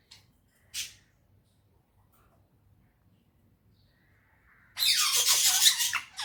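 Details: Indoor talking parrot in a happy mood: two faint short chirps, a long pause, then a loud, rasping, chattering outburst lasting about a second and a half.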